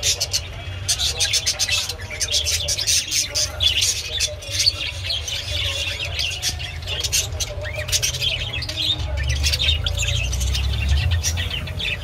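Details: A Japanese budgerigar pair chatters with rapid, scratchy chirps and squawks over a steady low hum.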